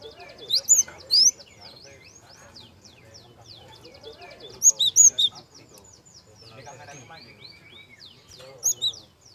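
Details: Java sparrow lure song with a soft voice, for stirring young birds to sing: bursts of three or four piercing high chirps arrive every few seconds over dense, quieter twittering and trills.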